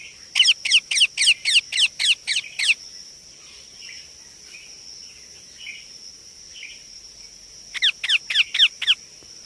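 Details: Indian ringneck parakeet chick calling in a fast series of about ten raspy notes, then muted chatter, then another run of five harsh calls, with a steady high whine throughout.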